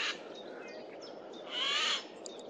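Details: A Eurasian jay (Garrulus glandarius) in forest, 15 April 2024, gives a loud harsh, rasping screech of about half a second after a brief harsh opening note, over a faint forest hush, as it moves between trees.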